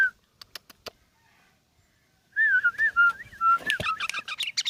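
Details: Kept sooty-headed bulbul, ten years of age. After a second of scattered clicks and quiet, it breaks into a run of warbled whistles and slurred notes that turn into a denser chattering jumble.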